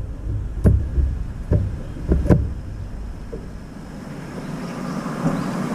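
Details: Low engine rumble runs throughout, broken by several sharp knocks or thuds in the first half, with no animal voice heard.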